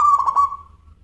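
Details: Tail of a local zebra dove's song phrase, sung in a crystal-clear voice: a few quick, fluttering coos that melt into a long, fading, level note above a faint hum.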